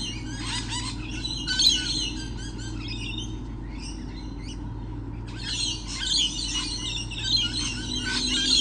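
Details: Numerous lorikeets, 28 November 2013, producing noisy, scratchy screeches and chirps. A busy burst opens, a thinner stretch follows, then a loud chorus resumes after about five seconds, over a low constant hum.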